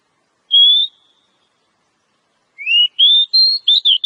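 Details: Oriental magpie-robin from the wild: one level whistle, a pause, then a rising note followed by a fast series of varied sweet whistles.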